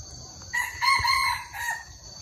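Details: Red junglefowl associated with the Hmong, recorded in 2021: one full crow lasting about a second, starting abruptly, swelling to a strained harmonic peak, then trailing off with a short drooping end. Faint constant high-pitched tone in the background.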